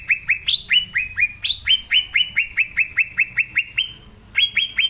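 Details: Green leafbird (cucak ijo) singing vigorously in its natural voice, used as a lure to prompt young leafbirds to sing: a rapid run of sharp, downslurred chirps, about three per second, some notes pitched higher, with a short pause near the end.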